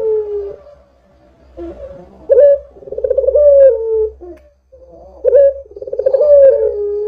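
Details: Actively calling Barbary dove used as a lure to get other doves calling: repeated rolling coos, each starting with a sharp accented note, then a throbbing, purring drawl that slides gently downward, with short gaps and a faint low hum.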